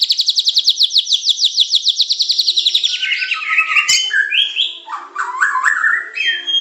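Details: Medan-type white-rumped shama training song meant to provoke other birds: a fast, high, even rattling trill of about thirty notes, then lower rich whistles sliding up and down in varied phrases.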